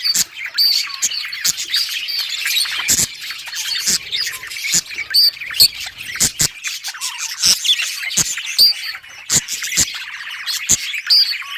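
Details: Budgerigars in a colony, playing and chirping on August 25, 2023: nonstop chattering warble with piercing squeaks, punctuated by frequent sharp clicks and pecking taps.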